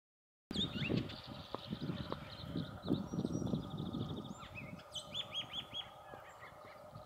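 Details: Bullock's oriole in a park during migration (present April to July), giving short whistled and chattering notes ending in a quick run of four or five arched, slurred whistles, over steady low wind rumble.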